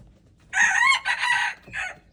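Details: Red junglefowl recorded on February 13, 2025, with the birds at play, giving a loud, harsh crow. A strong rising first phrase is followed by a sustained wavering middle section and a short clipped final note, all in about one and a half seconds.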